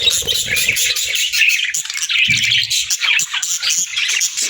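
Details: Continuous budgerigar chatter at feeding time, loud and unbroken, made of fast buzzy twitters and short whistled notes, with a brief low thud near the middle.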